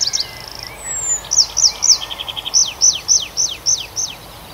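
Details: A bird sings in the night forest of the Arkhangelsk region in June: a high buzzy opening, then sharp falling whistles repeated at a regular pace of roughly three per second with a brief pulsed trill between.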